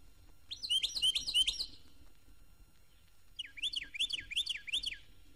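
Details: Song of the Florida wren, now Carolina Wren, from Florida. A fast rollicking burst of looping notes is followed after a pause by a second phrase of five clear, bouncing, down-up notes repeated evenly.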